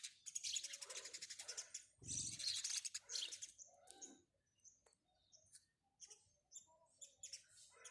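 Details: House sparrows in busy, overlapping chirping that thins out halfway into sparse single chirps, with a brief low rumbling burst near the second mark.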